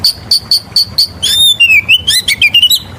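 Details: Oriental magpie-robin lure song with five evenly spaced high piping notes, followed by a long wavering whistle and quick slurred, twisting phrases.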